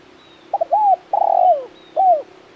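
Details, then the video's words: Spotted dove giving one phrase: two quick short notes, then a long arched coo, a longer falling coo and a final down-curving coo, over a steady low hum. "Suara Burung Tekukur Gacor KUK 1 Mersik"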